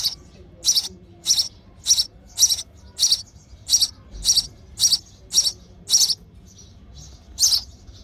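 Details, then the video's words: Hungry sparrow chick begging in the nest while its mother feeds it: sharp, high chirps repeated about every half second, eleven in a steady run with a short pause near the end. "Hungry Baby Sparrow: Sparrow Mother Feeding Their Chick in The Nest With Baby Sparrow Chirping Sound"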